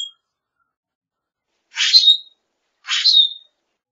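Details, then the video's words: Common grackle calling: two harsh, rasping notes about a second apart, each a scratchy buzz ending in a thin squeaky whistle; nothing else heard. "Common Grackle Song! Common Grackle call!"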